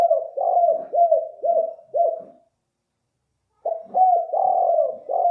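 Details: Lure call of a spotted dove (balam kuk): bursts of rounded, down-curving mid-pitched coos repeated roughly twice a second, broken by a silent gap of about a second before the cooing resumes.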